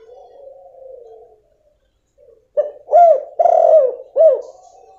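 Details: Female spotted dove call used to draw a quiet male into calling; after a soft humming note and a short silence, a phrase of four rounded, arched coos with a long rough middle note.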